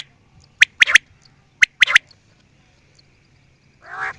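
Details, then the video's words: Two crisp quail phrases, each a lone note then a fast double, a second apart, followed after a pause by a brief harsh buzzy sound. "New and nice sound of quail"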